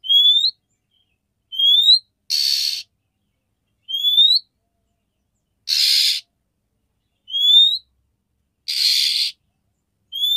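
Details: Calling to stir a male into breeding mood, a female oriental magpie-robin alternates short upslurred whistles with broad scratchy rasps, roughly one sound per second, repeated steadily over ten seconds.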